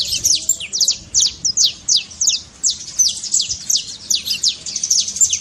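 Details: Saffron finch in trincado song, used to stimulate a quiet bird: crisp, high downslurred notes delivered in a loose series, roughly eighty per minute, each a sharp thin chip.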